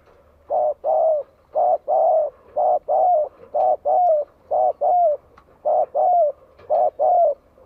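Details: Spotted dove singing to provoke rival birds: a steady run of low, mellow paired coos, each pair about a second apart, with the second note of each pair longer and slightly falling, in quiet surroundings.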